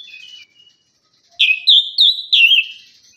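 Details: Orange-headed thrush song, used to prompt silent birds after moulting. Soft faint twitter, a pause, then loud clear whistled phrases, wavering and sliding downward.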